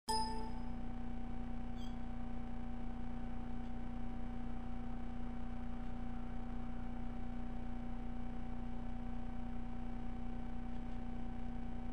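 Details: A steady electrical hum with a low drone and a faint higher tone, opened by a brief metallic chime, with no animal calls heard.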